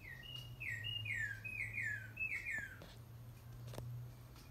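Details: Northern cardinal (Cardinalis cardinalis), song.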